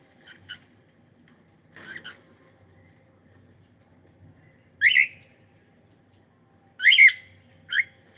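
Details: Cockatiel kept as a pet, heard on a live stream giving a few sharp chirped calls, one single and one paired burst, separated by quiet pauses with faint clicks and room hum.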